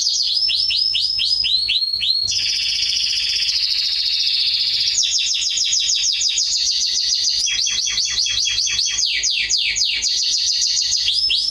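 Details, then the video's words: Atlantic canary performing song for the training of young birds: varied tours of rapid repeated downsweeps, long rolling high trills and quick choppy note series, continuous and loud throughout. "CANARY SINGING - Serinus canaria | كناري | canarios"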